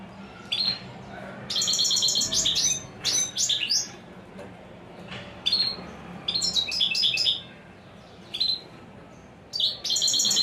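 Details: Song of a European goldfinch praised as 'royal' and unmatched: quick runs of twittering, liquid, high notes and trills in several separated bursts, over a quiet background with a faint low hum.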